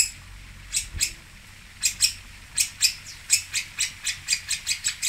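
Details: Long-tailed shrike from Singosari, known locally as cendet, pentet or toet: scratchy, harsh rasping notes, first in a pair, then in an irregular run of about a dozen quick bursts, each broad and grating.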